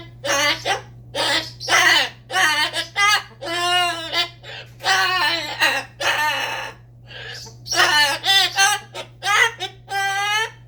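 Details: Parrot talking in a rapid stream of harmonic, voice-like syllables and squawks, repeated in short bursts for about ten seconds with only brief gaps; steady low hum underneath.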